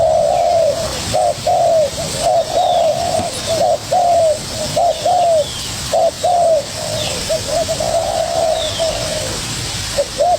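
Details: Young spotted dove calling hard at a decoy bird, an almost continuous series of short and longer low coos, some overlapping, with faint higher bird chirps in the background.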